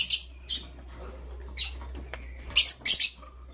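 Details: Green and blue lovebirds preparing for egg laying: rapid shrill high-pitched chirps every half second or so, with a pair of louder harsh screechy notes near the end and a steady low hum beneath.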